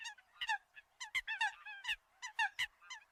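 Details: Eurasian coot calls meant to attract other birds: loud, nasal, honking notes with strong harmonics, some downslurred, delivered in quick irregular bursts of about three per second.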